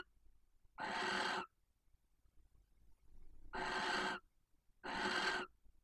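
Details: A female barn owl's intense mating call outside her nest box in Cabañeros National Park: three drawn-out, hoarse hissing screeches, the first alone, the last two about a second apart, in a quiet night.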